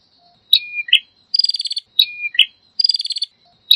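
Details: Prinia song: a sharp high note, a falling slurred whistle, then a fast buzzy trill of about eight pulses, the phrase repeated twice with short silences between.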